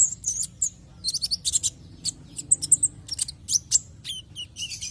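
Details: Javan white-eye song used as a lure to prompt other white-eyes to sing: rapid high thin chirps and short twittering notes in quick irregular bursts, with a low steady hum beneath.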